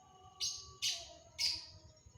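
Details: Long-tailed shrike giving three harsh, rasping, high-pitched notes in quick succession over a low steady hum.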